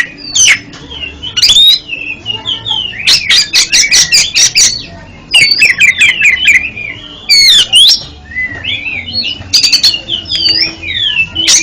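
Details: Oriental magpie-robin song used to help a stuttering kept bird: dense bursts of fast staccato notes mixed with looping whistled phrases, continuing almost without pause.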